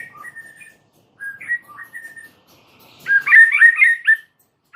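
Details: White-rumped shama (murai batu) song: soft, spaced whistled notes at first, then a louder burst of quick warbled, whistled phrases near the end.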